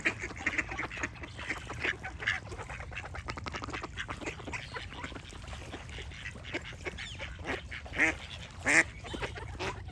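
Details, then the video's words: Ducks calling amid constant flock chatter, with a few loud, nasal, raspy quacks rising above the din, two especially strong ones close together toward the end. "Relaxing Duck Quack Sound Effects"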